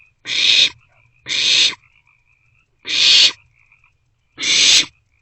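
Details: Nestling barn owls in an owl box around 2 am, 27 March 2024, sharing food; four harsh hissed screeches roughly a second apart with light chittering in between.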